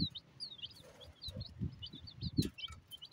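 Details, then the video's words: Chicks chirping while eating: many short high peeps, some slightly falling, scattered quickly throughout, over soft low tapping and thudding sounds from feeding. "Chick 🐤 eating & charping"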